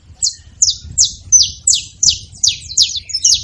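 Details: Saffron finches together, noisy; crisp, high descending chip notes repeated almost three times a second, evenly spaced, with soft low rumble underneath.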